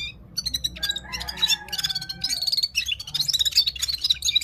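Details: Himalayan Gulsar from Parachinar singing hard, starting with scattered high chirps and a few longer whistled tones, then a rapid stream of bright twittering notes, with faint low hum behind.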